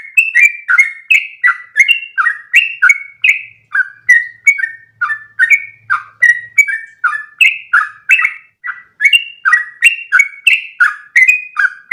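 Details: Trucukan (yellow-vented bulbul) delivering a long continuous ropel in one breath, a tutor song for other bulbuls; rapid, rhythmic string of sliding whistled notes, roughly three per second, unbroken for twelve seconds.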